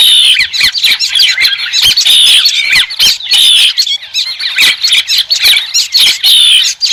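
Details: White-crested laughingthrush chorus of loud cackles and squeaks in repeated swelling bursts, each roughly a second apart, with sharp clicking notes between them.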